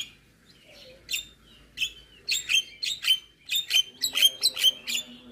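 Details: After a soft whistle, a Javan myna gives full isian song as repeated bright, sharp chipping notes about three or four per second, each with a short whistled tail.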